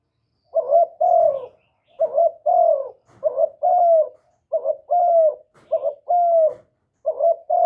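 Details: Decoy spotted dove calling to attract wild doves, recorded without noise. Rapid, nearly continuous cooing forms about eight or nine phrases, each a quick double note followed by a fuller descending coo.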